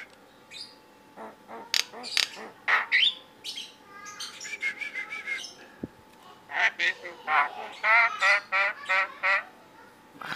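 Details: Tame yellow-eyed Javan myna that can talk, giving a jumble of sharp clicks and chirps, squeaky whistles, and nasal, speech-like bursts in quick irregular bouts, the loudest in a rapid chatter toward the end.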